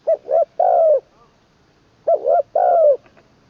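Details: Spotted dove trained as a decoy bird, third session, singing with a full middle voice: two mellow three-part coo phrases, short-short-long, the long note sliding downward, about two seconds apart.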